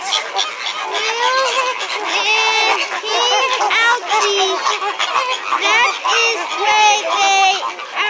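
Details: SeaWorld flamingos calling loudly: bursts of short honking notes, often in quick clusters, from many birds at once, with a faint murmur of people in the background.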